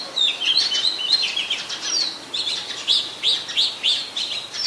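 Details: An Oriental magpie-robin, very common resident of Ubon Ratchathani, Thailand, recorded 24 December 2020 with a Nikon P1000: fast twittering notes at first, then a series of separate sharp upslurred whistles about twice a second.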